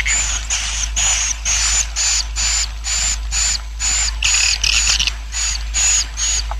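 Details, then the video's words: Swiftlet roosting colony sound, meant to attract swiftlets and grow the colony fast: hissy, buzzy bursts, each topped by a thin high whistle, repeated a little over twice per second with brief gaps, one burst slightly garbled midway. "SUARA INAP KOLONI WALET"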